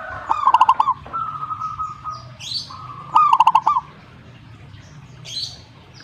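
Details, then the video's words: Zebra dove answering in song: two quick bursts of stuttering, rolling coos about three seconds apart, a faint steady tone between them, and brief high chirps from other small birds. "suhu perkutut jika nyaut"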